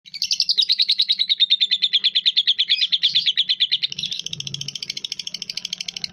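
A lovebird gives a fast, shrill chatter of high chirps, about eight or nine per second, running on without a break. A faint low hum sits underneath.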